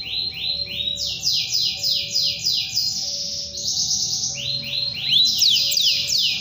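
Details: Singing canary calling out to a rival, delivering rapid series of rising swept notes in steady runs, each phrase repeated several times a second, high and bright, over faint low background hum.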